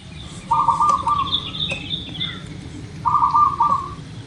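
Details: Song of a local zebra dove, offered as bait to make birds sing soon. Two warbled, rolling coo phrases come about two and a half seconds apart. A brighter, higher chirpy bird call slips between them over a low rumbling background.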